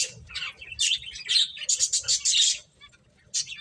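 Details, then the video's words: Finches chirping while playing: bursts of thin, high twittering chirps overlapping from several birds, with a brief quiet gap near the end before chirps resume. "Beautiful Birds Chirping Sounds | Cute Finches Playing"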